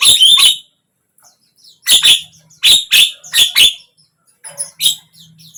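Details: Javan myna, played so a silent bird will open its beak and sing; a burst of scratchy chatter, then a run of clipped harsh notes in quick pairs, ending with thin high squeaks.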